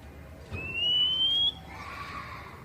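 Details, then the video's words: Kacer poci, an Oriental magpie-robin, whose basic song is played to prompt untrained captive birds to sing: one drawn-out, steadily rising clear whistle lasting about a second, followed by a soft noisy rustle. "Masteran kacer bahan biar bunyi nyaut langsung on"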